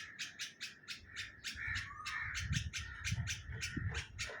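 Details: Bulbul nesting in a neem tree in Hyderabad, Sindh, Pakistan: quick, harsh chirps repeated in a steady series, with a faint whistled note midway and heavy low rumbling noise behind.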